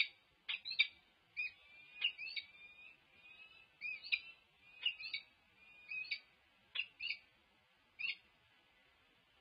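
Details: A male peregrine falcon announces his arrival on 27 June 2022, giving harsh, grating calls in short bursts, about a dozen over ten seconds, some doubled, with brief quiet gaps between.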